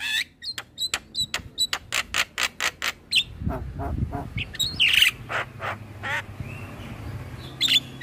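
A Javan myna gives a fast series of harsh, clicking strokes about three per second, then scratchy squawks mixed with short high whistles.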